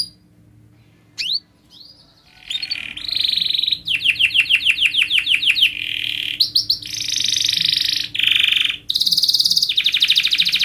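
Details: Canary training song for young birds, beginning quietly with a few isolated sweeps, then rapid chirp series, clipped whistles and alternating buzzy rolls at different pitches with short pauses between phrases.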